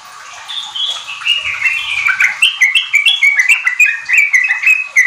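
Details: Sooty-headed bulbul (trucuk) song meant to spur kept birds into full song: a rapid, steady stream of short whistled notes stepping up and down, growing louder through the passage.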